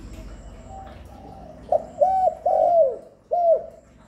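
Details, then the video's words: Spotted dove cooing, used to lure and stimulate other doves: a short series of soft, low, arched coo notes, three to four in quick succession, over a faint steady hum. "Tiếng Cu Gáy GọI"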